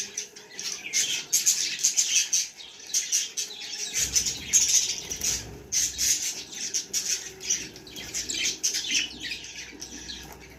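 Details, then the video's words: Baby budgies keep up a continuous high chatter of squeaky chirps and scratchy notes, with a low rumble entering partway through. "Cute baby budgie video"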